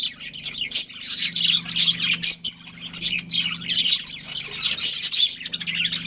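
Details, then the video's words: Busy chatter from a breeding pair of pet budgerigars: short high chirps and rasping twitters in clustered bursts with brief gaps, a soft low hum beneath. "Adorable Budgies Chirping Sounds"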